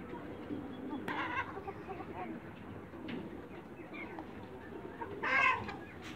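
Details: Backyard flock of young Light Brahma chickens: scattered quiet clucks, then one loud, harsh, harmonic squawk near the end, set against continuous low-frequency background noise.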